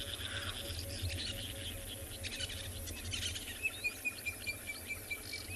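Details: Black-backed puffback calling on a sunset safari drive on 11 June 2024: a run of sharp 'click' notes, several each second, over a busy background of insects and other birds.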